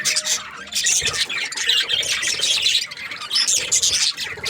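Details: Many budgerigars chirping in breeding season: bright, rapid twittering and rasping chatter pulsing in bursts about once a second, bird voices crowded together throughout.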